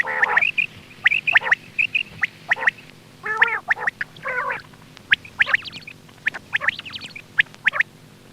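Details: Quail lure call for hunting: short high chips in quick pairs, broken by a few gargling, buzzy bursts midway, then rapid sharp notes toward the end over faint background hum.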